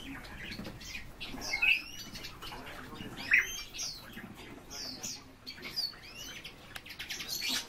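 European bee-eaters give soft, rolling, liquid calls, several overlapping in a loose chorus, with a couple of louder notes standing out.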